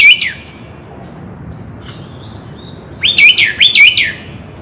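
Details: Sooty-headed bulbul full song used to make birds sing more: a short phrase of two slurred, rising whistled notes at the start, then after a quiet gap a brighter burst of four rising notes near the end.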